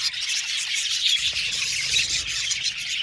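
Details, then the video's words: Budgie colony in an aviary fills the air with nonstop high-pitched chirping and chattering from many birds together, a steady bright twitter with occasional thin whistled notes. "Budgies singing and chirping sound"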